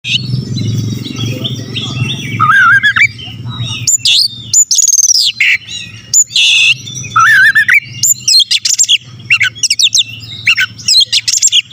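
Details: Oriental magpie-robin (kacer) in prolific song, used as a lure to provoke rival males. Warbled whistles over a low rumble open the recording, then loud rapid phrases follow: upslurred whistles, wavering notes and harsh buzzy bursts in quick succession.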